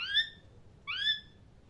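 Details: A parrot gives two clear whistled calls about a second apart. The first glides gently downward and the second rises and then levels off. The background is silent.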